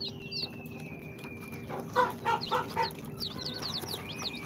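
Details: Day-old-plus incubator chicks (Sultan, Golden Sebright, Cochin and booted breeds) give a long high whistled peep, then a burst of lower, rougher stacked notes, before sharp descending chirps resume over a constant low hum.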